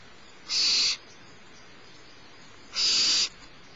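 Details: Barn owl chick begging during a mid-morning feeding by its mother at Starr Ranch, March 2011: two loud, rasping hissed screeches with a faint whistled tone inside, each about half a second long, roughly two seconds apart.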